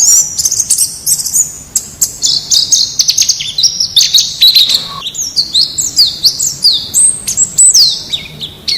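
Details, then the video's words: White-eye from the wild used as a singing model for captive birds delivers a rich, rambling warble of quick high chirps, sliding whistles and stuttering trills. "Suara Masteran Pleci Ngalas Agar Cepat Buka Paruh"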